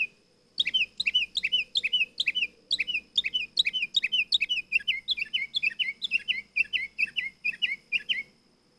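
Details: Sustained nightingale song: a long, almost unbroken run of varied chirping notes, some paired and rolling, shifting into quicker, more even repeated notes toward the end.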